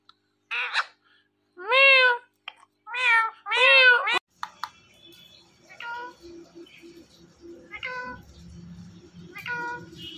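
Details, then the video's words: Four loud meow-like nasal syllables from an Indian ringneck parrot, then softer spaced calls over a low background rumble. "Indian Ringneck Parrot Talking"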